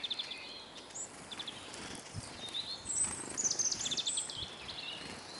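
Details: Eurasian siskins, a crowd of hungry birds at a feeder in Kolmården, Sweden, caught by a Sony A99 camera set on the ground below: rapid overlapping high twitters and chirps, rising in busyness midway, over soft background noise.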